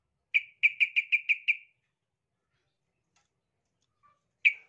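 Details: Yellow-vented bulbul, aggressive and seeking a rival: a single note, then six quick, evenly spaced bright chattering notes, silence, and one more note at the end.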